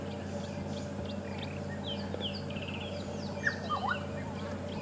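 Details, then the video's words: A Black-headed Oriole calls, not an alarm call, giving a few liquid, dipping whistles near the end among faint chirps from other birds, over a steady engine rumble on a sunrise safari drive, 12 December. "Black-headed oriole calling, sadly not an alarm call."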